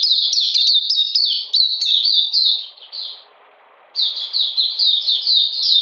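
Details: Oriental magpie-robin in captivity during cold rain, 13 June 2020, pouring out fast, high, falling whistled notes, pausing about a second amid soft hiss, then resuming the same rapid pattern.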